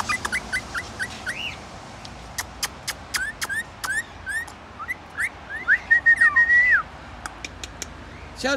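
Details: Rainbow lorikeet kept as a pet, singing quick repeated chirps and short whistles, then a longer wavering whistle with a falling end, sparse sharp clicks between notes.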